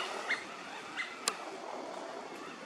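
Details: At Mizumoto Park, Tokyo, in March 2023, a Eurasian wigeon (Mareca penelope) gives two short, clear whistles about a second apart, against a steady background hiss and a single sharp click.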